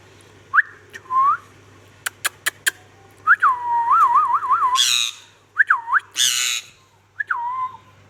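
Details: Ringneck parrot calling: looping whistled notes, a quick wavering series of rising-falling whistles, sharp clicks and two loud rasping squawks.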